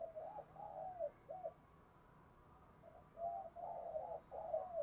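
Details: Spotted dove kept as a cage bird, giving a full 'thúc gù' cooing sequence in the 'giọng thổ' voice style: two quiet phrases of three soft, hollow coos, separated by a pause, over a faint background hiss.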